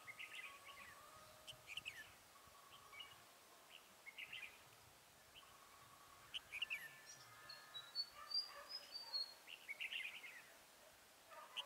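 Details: Red-whiskered bulbul used as a decoy at a trap on 27 November 2017, singing to lure wild birds. Short bright chirpy phrases come every second or two, with one thin high whistled run near the end, over a quiet outdoor background.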